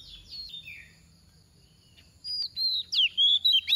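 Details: Decoy oriental magpie-robin with a gentle voice, singing 'tìu tíu tiu' to draw other magpie-robins into song: faint sliding whistles, a quiet gap, then six loud clear whistled notes in a fast, even run.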